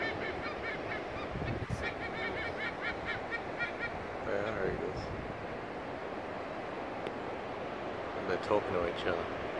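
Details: Two White-bellied Sea Eagles calling to each other while flying high at Boomerang Point, New South Wales. Short bursts of rapid, honking, goose-like notes rise above steady surf and wind noise.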